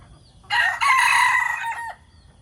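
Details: A decoy fowl crows loudly in the morning. One long, buzzy, strongly harmonic cock-a-doodle-doo lasts nearly one and a half seconds and bends down at the end. A little low background noise is heard.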